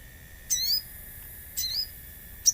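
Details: Common iora song used as a lure with nature sounds: two drawn-out high whistled notes with rising harmonic sweeps, about a second apart, followed by a brief sharp chip over a steady faint hum.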